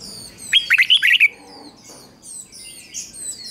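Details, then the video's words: A red-whiskered bulbul singing as a decoy to draw in wild birds: one lively phrase of five or six fluty, slurred notes, followed by faint high chirping from other birds. "Chào Mào Mồi Hót Gọi Chim Rừng Kích Chim Hót Hay"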